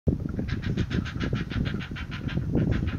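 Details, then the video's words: Young bird growling at the end of a feeding session, with beak biting and wing flapping while the parent slips away: pulsed rasping growls repeated about six times a second over low rumbling thumps. "Beak Biting and Growling"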